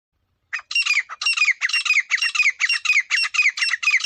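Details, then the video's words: Teetar partridge whose call is used as a hunting lure: after a brief silence comes a fast, regular series of harsh, grating squawks, about two per second, each with a downward-sliding ring. The background is quiet. "Acha Teetar Viral Voice | Teetar Ki Zabardast Saday"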